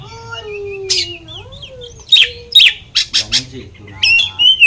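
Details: Oriental magpie-robin singing a lure song meant to agitate other magpie-robins: low gliding whistles at first, then sharp high chirps and a rising whistled phrase in quick bursts.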